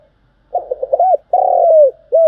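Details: Lure-bird spotted dove coo for trapping: a burst of short stuttering low notes leading into a long swelling coo that slides down, followed by the start of another note.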